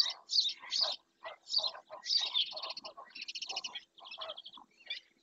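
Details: Black-winged stilt at Doñana National Park, Spain, filmed on a webcam, gives loud nasal yelps, then a rattling run of fast clipped notes, then softer scattered calls, with a faint hum behind.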